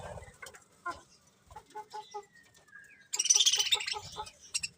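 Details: Colourful budgies chirping in short, irregular bursts of high notes, with a thin whistled tone near the middle and a louder, denser run of rapid chirps in the last two seconds.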